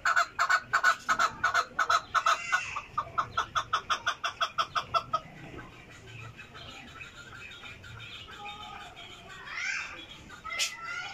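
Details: Chukar giving a rapid run of loud, clucking two-part notes, about three per second, for five seconds, then falling quiet to a faint background hiss with a few soft distant chirps.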